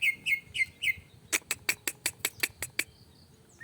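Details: Greater green leafbird, provoked to sing emotionally, gives four repeated short whistled notes, then a rapid string of about nine sharp ticking clicks.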